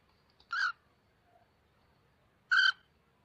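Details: Cockatiels after a bath, getting ready for the mating season: two brief, harsh, harmonic squawks about two seconds apart, the second louder, with faint quiet sounds in between.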